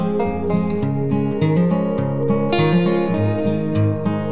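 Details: Acoustic guitar music with plucked and strummed notes throughout, and no animal voice heard.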